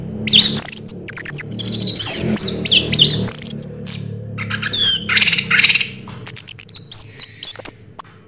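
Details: Continuous, energetic 'Raja Teler' song from an orange-headed thrush: dense chatter of high chirps, rapid trills and sweeping whistles running almost nonstop over a low steady background hum.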